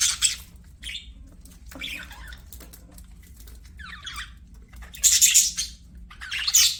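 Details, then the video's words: Budgerigars singing while playing, a scattered run of scratchy, squawky warbles and chirps high in pitch, arriving in uneven bursts with quiet gaps between, ending in two louder harsh squawks. "BUDGIES SINGING PLAYING"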